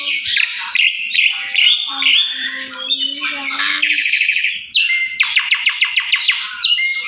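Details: Indoor lure recording of Asian pied starling for prompting song: a jumbled stream of squeaks, harsh chatter and whistles, ending in a fast series of sharp repeated clicking notes.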